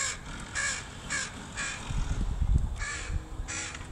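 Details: Repeated crow caws from a mother crow and her baby during foraging lessons, July 2019. About six short, hoarse caws arrive in a quick uneven series, with soft low rustling noise beneath.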